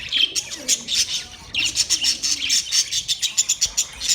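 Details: Budgies chattering: rapid run of sharp, clicking chirps speeding into a rhythmic stutter near the end, over a scratchy warbling background.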